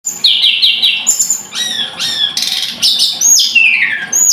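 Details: Scarlet-headed flowerpecker singing a quick, varied high-pitched sequence: short repeated notes, then sharp upward sweeps, buzzy bursts and a final run of descending slurred whistles.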